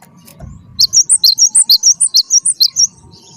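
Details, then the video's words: Cinereous Tit, locally gelatik batu wingko, delivering a long, fast series of about fourteen high, ringing notes alternating between two pitches, following a brief low rustle, over a faint hum. "gelatik batu wingko gacor"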